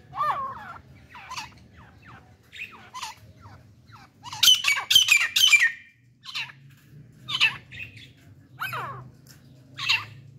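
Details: A pair of partridges with a hunter's female in an excited state give harsh, scratchy calls in irregular bursts about every second, loudest in a rapid squawking run midway, with a low hum underneath.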